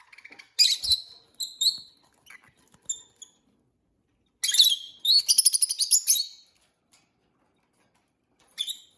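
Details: A pair of pet peach-faced lovebirds chirping; bursts of rapid, shrill, rattling chirps and squeaks, including a long chattering run of repeated notes, with short pauses between bursts.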